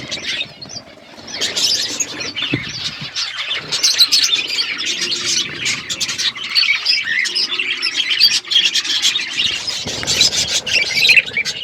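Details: February 25, 2024, a parrot eating food: starts quietly, then builds into a thick wash of high chirps, squawks and squeaky notes from many birds, continuing without pause.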